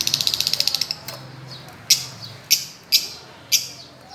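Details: A Fischer's lovebird playing on a swing gives a rapid buzzy run of about fifteen clipped chirps in the first second, then four separate sharp high chirps spaced roughly half a second apart.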